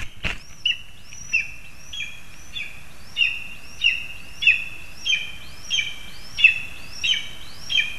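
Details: Lesser spotted eagle in a spruce, Zemgale, Latvia, giving a steady run of high, thin yelping notes, each with a sharp downward slur, about one and a half per second over faint background noise.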